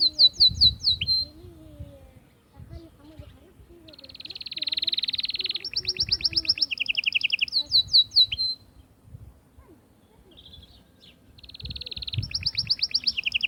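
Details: Atlantic canary song aimed at rousing females for mating: varied bursts of rapid trills, buzzy rolls and swept high notes, broken by short pauses, with the phrases returning after a lull near the end.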